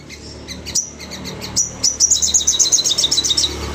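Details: Crested jay worked up and calling nonstop to prompt others to answer: scattered high chips over a steady background hum, then a fast chattering series of piercing notes from midway on.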